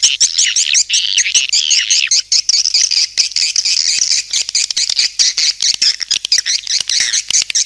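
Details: Swiftlet lure call, quick irregular squeaky chirps about two per second over a dense high twitter and rattling clicks.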